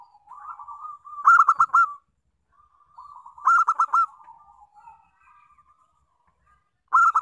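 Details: Local zebra dove song played as a lure for other doves: three phrases, each a soft rolling coo building into loud staccato stuttered notes, the last cut off at the end.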